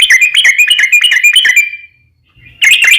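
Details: Yellow-vented bulbul in vigorous 'ropel panjang' long rapid song, used as a lure to make other bulbuls answer: fast bubbly whistled notes near the upper-middle pitch for almost two seconds, a brief silence, then the chatter resumes.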